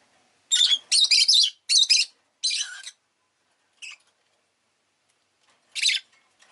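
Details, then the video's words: Rapid, loud, buzzy chirps from a pet rosy-faced lovebird in a run of four bursts, then a brief squeak and one last harsh note. "Lovebird Chirping Sounds"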